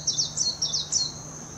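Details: Warbling white-eye from Hashimoto, Wakayama Prefecture, Japan, 26 June 2021: a brief, very high, tumbling twitter of slurred downward notes that fades after about a second, then only a thin steady hum.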